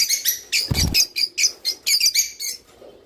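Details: Java sparrow singing, a sound for stimulating mating: a series of high, bell-like chips and ringing notes at a steady pace, with a dull low thump early on.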